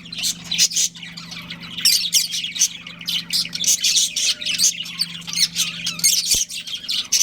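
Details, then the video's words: Budgerigar breeding pair kept at home gives scratchy squawks and bright chirps in rapid, uneven bursts, the chatter thickening midway, over a low steady hum. "Adorable Budgies Chirping Sounds"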